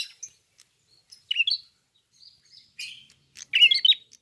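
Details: Red-fronted prinia singing open-beaked in lively voice: scattered single high chirps, then short sharp twittering bursts, ending with a loud rapid cluster of scratchy notes.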